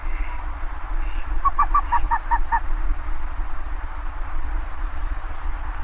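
Bare-faced ibis giving a short run of about seven hoarse, nasal honking notes in quick succession, over steady low rumbling background noise.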